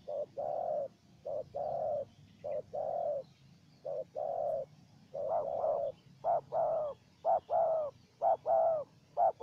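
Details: Spotted doves, wild and decoy, dueling with calls: a long run of low short-long coo pairs that speeds up midway into tightly doubled, slightly wavering notes, continuing without pause over soft background noise.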